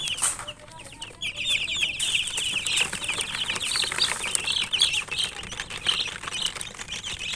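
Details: Chicken chicks chirping: a short rustle, then a crowded run of high, shrill peeps that continues steadily over a hissy background.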